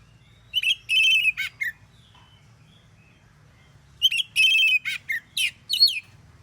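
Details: Oriental magpie-robin in loud morning song that provokes rival magpie-robins to answer, giving two clusters of piercing, buzzy whistled phrases with sharp downward slurs, separated by about two seconds of quiet.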